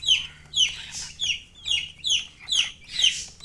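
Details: Chicks give loud, shrill descending peeps, roughly two per second. A few notes are breathier and broader, and a low steady hum sits beneath them.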